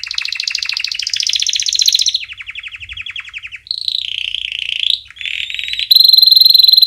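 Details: Canary singing a training song for chicks with varied tours: dense buzzy rolls, a lower chopping trill, a slurred warble, and a bright, piercing sustained trill at the close.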